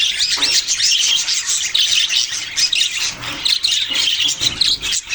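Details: Steady budgerigar chirping: rapid, high warbled squeaks and chatter run together in an unbroken stream, with a few softer lulls.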